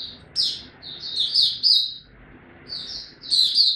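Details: Oriental white-eye in captivity, recorded in January 2022, giving short bursts of thin, high twittering notes with gaps between phrases, soft room noise underneath.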